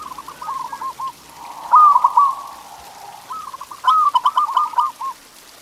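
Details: Local zebra dove song played to get pet doves singing: rapid staccato cooing phrases near one pitch, a soft first run, a louder bubbling burst at about two seconds, then a longer rolling series, with faint patter behind.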